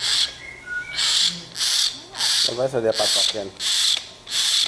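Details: A tame young common hill myna, sulking and wanting to eat bread, gives harsh, hissing begging screeches about once a second, with a lower warbling note between them.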